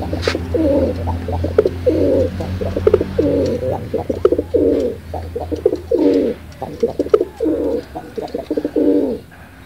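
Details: Pigeon calling continuously, a run of low rolling coos interspersed with quick clipped notes, repeated roughly every second, over a persistent low hum with occasional clicks.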